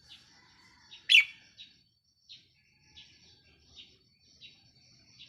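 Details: Decoy red-whiskered bulbul recorded 4 May 2023: one loud sharp whistled note, then a run of soft evenly spaced chirps roughly every seven tenths of a second, with faint low rumble beneath.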